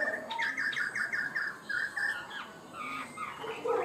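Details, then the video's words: Chinese hwamei in a cage singing high and steadily. A quick run of about eight short, even whistled notes is followed by softer, scattered warbles and a rising high phrase near the end. "Chim họa mi hót cao cầu, ra mỏ nhanh ổn định"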